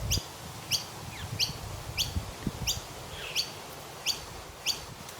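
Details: In an Australian tree one morning, a noisy miner gives a steady series of crisp, high chirps sliding downward, roughly one every 0.7 seconds, over a low rumble of background noise.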